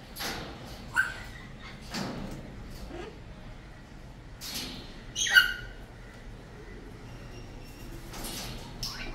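A cockatoo gives a few brief, harsh squawks several seconds apart, with one loud, ringing screech near the middle, over a low background hum.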